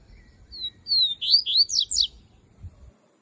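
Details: A coleiro sings its melodic phrase: one thin opening whistle, then a quick cascade of high, swooping, slurred notes rising and falling, about four per second, ending abruptly in near silence.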